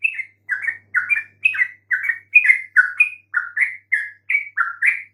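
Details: Bulbul lure song, yellow-vented, played to draw answers from silent birds: repeated bubbly two-part notes, dipping then rising, spaced evenly roughly every third of a second, quiet clean recording.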